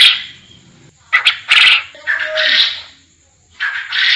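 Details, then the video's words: Forest quail uttering hoarse, rasping notes in uneven clusters, some drawn out and breathy, with short gaps between them and a thin steady hum in the background. "Suara burung Puyuh hutan"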